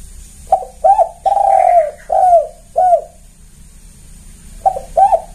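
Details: Indonesian spotted dove kuk call used as a lure for trapping, loud and clear: a stuttering run of short falling coos with one long sustained coo, then a brief pause and more clipped notes at the end.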